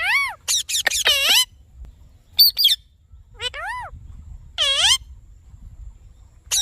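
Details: Green Indian ringneck parakeet talking, natural sounds: loud arched, harmonic-rich calls rising then falling, mixed with harsh broadband screeches in quick bursts, separated by short quiet gaps over a low background rumble.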